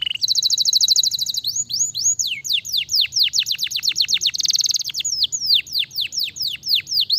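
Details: Lively canary song opening on a fast high buzzing trill, moving into quick repeated downward-sweeping whistles, a short dense rattle, then more looping whistled notes, delivered loudly without pause.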